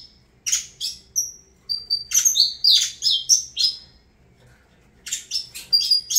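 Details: Saffron finch (canário da terra) singing: bursts of very high, sharp chirps and short whistled notes in quick clusters, a pause of about a second, then another rapid volley of bright high notes; quiet indoor background.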